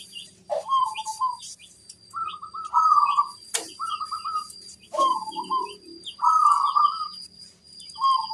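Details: Local zebra dove giving a lure song to make other zebra doves answer: rhythmic, rolling trilled coos repeated about once a second, each phrase a fast stutter. A sharp click and a thin steady whine sound in the background.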